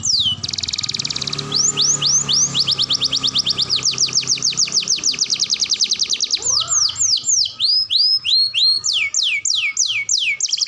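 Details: Canary singing a long rolling song, meant for training young canaries: extended rapid trills of repeated upslurred notes running almost continuously, with steady low background hum.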